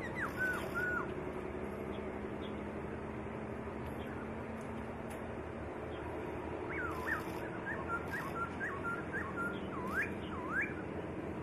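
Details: White-rumped shama singing as a training ("master") recording: clear, fluting whistles that swoop and slur between low and high notes in short, varied phrases, over a steady background hum and hiss.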